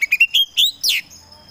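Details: Short burst from a kacer poci, a kept Oriental magpie-robin in full 'gacor' song: a few quick high chirps rising in pitch, then a longer whistled note and a harsh downslurred buzz, with quiet background.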